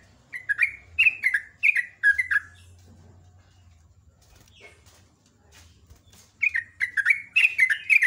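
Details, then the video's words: Sooty-headed bulbul singing in the morning in ropel ngecruk style: quick chains of liquid, warbling whistles, then a near-silent gap of several seconds before another lively burst, with a soft low hum throughout. "SUPER GACOR JOGJOG /TRUCUK ROPEL NGECRUK"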